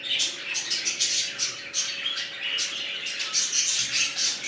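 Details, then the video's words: A new budgerigar colony with red-eyed birds, loud and constant: shrill overlapping chirps, short whistles and squawks crowding every second, with a low hum beneath. "Budgies Parrots New colony"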